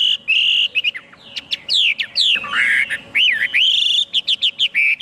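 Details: Chinese hwamei singing a loud, varied song of clear whistled phrases, slurred and looping notes between short rapid chirps, with brief pauses around the middle.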